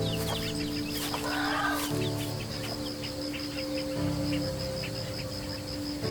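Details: Helmeted guineafowl on the African savanna giving harsh, rapid clucking alarm notes that can warn other herbivores of predators, over a soft musical background.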